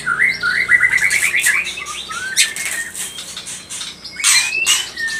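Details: White-rumped shama lure song meant to make other shamas sing; a rapid trill of repeated notes, then slurred whistles, a long rising whistle and scratchy bursts.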